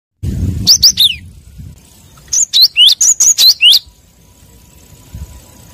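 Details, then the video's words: Wild Cinereous tit calling to draw rivals: two bursts of sharp, high chirps, first three quick notes, then seven in a fast run, each note a bright upward-then-downward flick, with quiet pauses around them. "Suara burung gelatik batu pemanggil lawan di alam liar"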